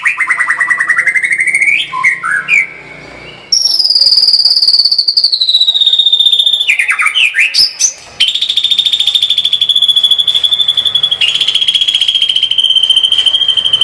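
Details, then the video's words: Full 'tembakan' style from a white-rumped shama: an opening pulsed trill and slurred notes, then long sustained rapid high trills lasting several seconds each, with a brief whistled break. "kicau murai batu gacor full tembakan"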